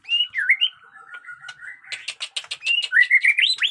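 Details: Caged white-rumped shama with new plumage giving a smooth low whistled phrase that runs into a fast series of harsh, clicking notes, then loud rising whistles.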